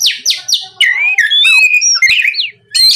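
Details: Oriental magpie-robin song used as a lure to make other magpie-robins answer and sing: a series of descending whistled sweeps, then rich warbling slurred whistles rising and falling, with a brief pause before a final phrase.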